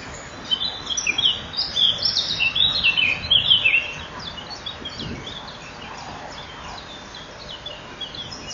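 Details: Common kingfisher nest burrow at 07:57 on 12 May 2013, as the adults swap and the male feeds the young: shrill, high, rapid piping in a dense four-second burst, fading to scattered faint notes over soft hiss.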